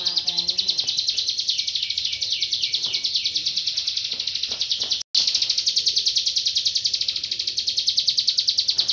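A prinia pours out a fast, high, scratchy run of chirps, about three notes a second, nearly without pause, with a brief break midway.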